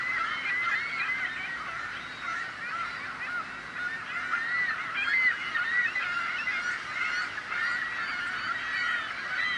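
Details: Many seagulls crying at once in a loud, unbroken racket of harsh wavering calls that swells and fades, peaking around the middle.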